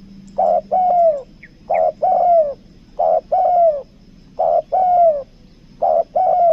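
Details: Spotted dove kept as a lure bird, singing the two-note 'kuk dua' style, from Lombok; five low mellow coo phrases, each a short note and then a longer falling note, repeated about every 1.3 seconds.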